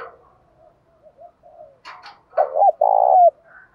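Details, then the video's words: Spotted dove provoking a fight: soft low murmurs and a couple of sharp noisy clicks, then one loud rough low coo phrase ending in a drawn-out falling coo. "chim cu gáy Thúc Đấu + Gáy Gọi"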